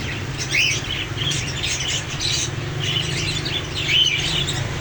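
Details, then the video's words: Parrots call in spaced clusters of raspy squawks, broken by a few clear short whistles, against a continuous low-pitched hum. "Parrots Sound | Parrots Cute Voice | Parrot Voice"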